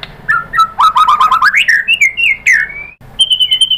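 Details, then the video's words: White-rumped shama singing, stirred by a lure recording: a varied run of rich whistles and rapid chattering notes, sweeping slides, then steady high repeated whistles after a brief pause. "pancingan MURAI BATU agar bongkar materi TEMBAKAN"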